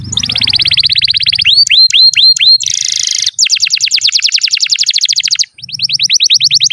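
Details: Canary song used as a master recording for young or non-singing canaries: dense fast trills, a run of looping whistled notes, a brief buzzy burst, then long rapid rattling series with short pauses and a faint low hum.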